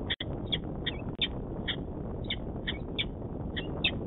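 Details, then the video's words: The male (dad) Peregrine falcon on a nest cam in Manchester, New Hampshire, on 26 February 2018, gives a rapid series of short, sharp, high chips, about three every second, over a steady background rumble. "Peregrine Falcon - Dad and noises"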